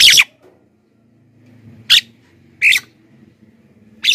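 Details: Black-winged myna (jalak kebo) calling actively, a recording used to lure wild mynas and prompt lazy captive birds to sing: four short, harsh, squawking bursts about a second apart, over a faint low hum.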